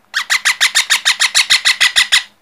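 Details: Baby parrot calling indoors: a rapid run of about thirteen harsh, raspy squawks, evenly spaced roughly six per second, with a faint low hum beneath.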